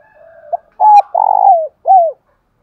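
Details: Spotted dove cooing, kept for training cage birds to coo and provoke rivals: a short soft note, then a clipped double coo, a long rolling coo, and a final arched, falling coo, all low and mellow against silence.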